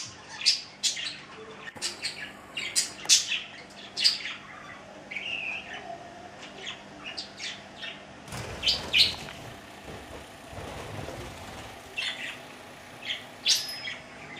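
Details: Two male budgerigars chatter with sharp high chirps, squeaky notes and brief warbled phrases in quick bursts.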